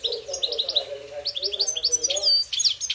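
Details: A goldfinch sings in a singing fight, with a quick run of bouncy chirps followed by liquid twitters and sharp whistled slurs that rise and fall, over a soft low hum.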